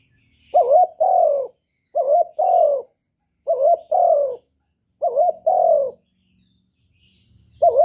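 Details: Spotted dove, a vocal bird kept to lure other doves, cooing in a one-note 'kuk' style: four soft, mellow coo phrases, each a short note followed by a longer one, repeated about every one and a half seconds in a quiet setting.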